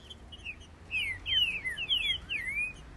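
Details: Green-winged saltators in a 2021 singing duel sing loud, clear whistled phrases that slur down and then rise, overlapping as two males answer each other in quick bursts.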